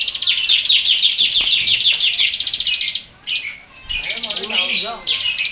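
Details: Bar-winged prinia singing energetically in the nembak keteran style, meant for tutoring and prompting other birds to sing: fast bursts of high, sharp chirps and trills, broken by brief pauses and softer lower warbling notes.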